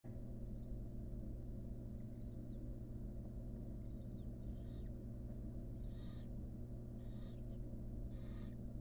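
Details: Wild barn owl nestlings in a monitored nest box on the day the sixth and last chick hatched; breathy hissing screeches and faint chittering, with a steady low hum throughout.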